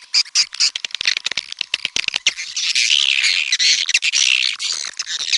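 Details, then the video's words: High swiftlet twittering: scattered sharp clicks at first, then building into a dense, buzzy chattering chorus that fills the second half. "SUARA BURUNG WALET"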